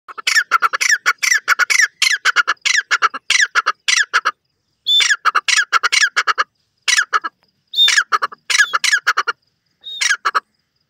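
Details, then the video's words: Grey francolin, known locally as titur, calling in a natural setting: loud harsh repeated squawking notes in rapid bursts, with a few short pauses and clipped whistled starts. "wonderful titur ki awaz, lovely titur voice"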